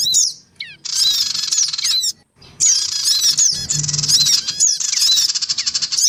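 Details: Noisy calling from black-winged cuckooshrikes, male, female and young, meant to pull wild birds in: a few slurred notes, then long dense spells of high, fast twittering with brief pauses between.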